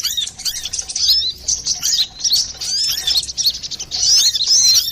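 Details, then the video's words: Lively brown-throated sunbird lure song used to attract or train birds: sharp, very high chirps and trills in near-continuous rapid runs, with brief dips between phrases. "Pancingan burung Kolibri Klapa ribut,suara jerni"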